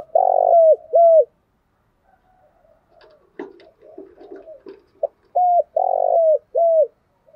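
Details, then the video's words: Spotted dove cooing in the morning, 'thổ đặc' voice style used to lure caged doves into calling: a throbbing coo with two short falling notes, a pause with faint scattered clicks and chirps, then the same low phrase repeated. "Tiếng chim cu gáy chiêu buổi sáng/ cu gáy giọng thổ đặc"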